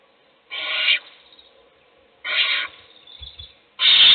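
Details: Owl at a nest being fed by an adult while other chicks sleep; three harsh, breathy hissing screeches, each about half a second long, separated by quiet gaps, with faint soft rustling between them.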